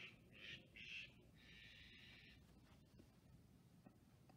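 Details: On 23 October 2023, a Steller's jay being harassed by a hawk for days gives three quick, harsh squawks, then one longer grating rasp, over a low rumble of wind or background noise.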